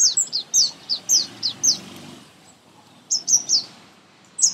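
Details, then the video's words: In a garden, a sunbird, a common Indian bird, gives its loud, high song: a quick series of sharp, descending chips, then a pause of about a second before another short burst. "Song Of Sunbird"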